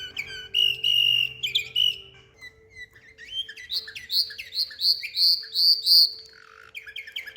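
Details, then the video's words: Canary, called yellow nightingale, singing in Samarkand: clear whistled notes near the start, then a run of bright rising chirps about three per second, ending in quick high trills over a faint steady hum. "САРИК БУЛБУЛ САМАРКАНДДА"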